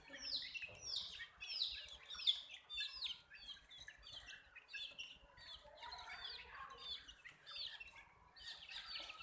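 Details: Young chickens, colored chicks, utter clear arched peeps, some loud and distinct early on, then a softer crowded chorus of thin falling chirps continues throughout.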